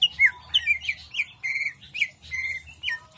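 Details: Greater green leafbird singing in jamstrok style, a chattering string of slurred, warbling notes and quick twitters delivered in uneven bursts.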